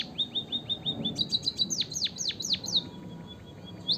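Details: Energetic white-headed munia, played to prompt lazy munias to sing, opens with soft rising chirps, moves into fast high ticks, then several loud notes plunging downward, ending in a gentle trill.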